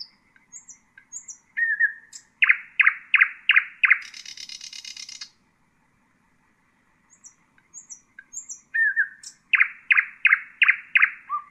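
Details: Two nightingale song phrases used to tutor chicks, split by a pause: soft high notes and a whistle, then a loud run of repeated notes, with the first phrase ending in a buzzy rattle.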